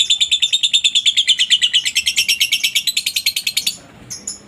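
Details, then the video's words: Lovebird in a long ngekek, used as master training audio for other lovebirds. Fast, regular chattering bursts, roughly three per second, run for nearly four seconds, then a short pause and a final squeak. "masteran burung Lovebird ngetik,ngekek cocok buat lb lain biar cepat gacor ,ngekek panjang"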